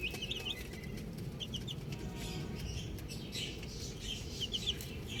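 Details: Chicks outdoors give short bursts of high, quick peeps in small groups, separated by pauses filled with soft rustling and low background noise.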